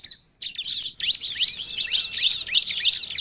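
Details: Short burst of bar-winged prinia song used to lure wild birds: after a moment of quiet, dense high buzzy chirps repeat rapidly and evenly.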